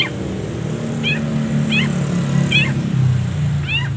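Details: Long-tailed shrike tutor recording, a setingan style with many pauses: a run of brief, bright, descending slurred notes, each about a second apart, over a constant low rumble.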